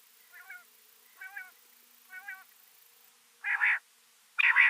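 Female common quail: three soft, nasal, mewing notes about a second apart, then two louder, harsher rasping calls.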